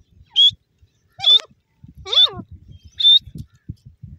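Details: Grey francolin (teetar) giving four loud, separate squawking notes, each under a second apart, over a low rumbling background.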